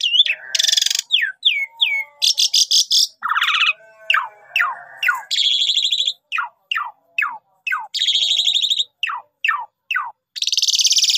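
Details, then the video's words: Lively lure song of a Javan pied starling: harsh rasping bursts alternate with quick downslurred whistles, repeated in rapid series over eleven seconds, with no other sounds. "Pancingan Jitu Jalak Suren full Gacor Mompa Istimewa"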